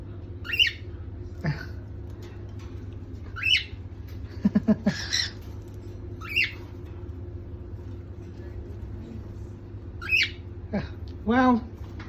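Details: At night in its cage, the youngest cockatiel (Nymphicus hollandicus) gives short, rising chirped whistles every few seconds, seeking attention and asking to have its face rubbed before sleep.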